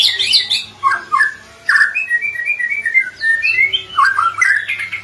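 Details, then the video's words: White-rumped shama singing a string of clear whistled notes and slurred phrases at varied pitches, with short twittering bursts at the start and end. "MURAI BATU MACET, STRES Langsung NGRESPON dan Nyaut Denger KICAUAN INI"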